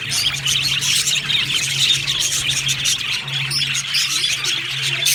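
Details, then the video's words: A flock of pet budgerigars in an aviary, lively high chirps and warbled twitters layered densely, with a few louder sharp notes rising out of the chorus and a steady low hum. "Happy Budgies chirping sounds | Budgies sounds"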